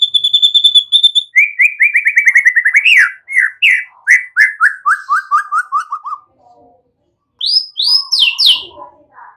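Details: White-rumped shama song used to lure young birds into singing: a pure whistled note, then a rapid descending run of repeated slurred notes, a pause, then loud rising whistles.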